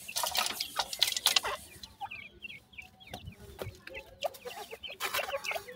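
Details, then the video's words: Feeding time for a Dakhni grey francolin hen and her five chicks: loud knocks and clatter open the clip, then rapid high-pitched peeping chirps from the chicks follow in quick bursts. "Dakhni Teetar chicks khorak time,Female with 5 chick"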